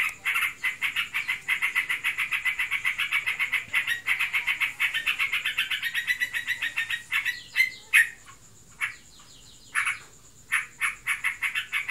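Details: Yellow-vented bulbul, a kept bird described as in breeding condition, in prolonged 'ngebren' chatter: a fast run of buzzy pulses for about seven seconds, then scattered sharp higher clicks and short notes with silent gaps.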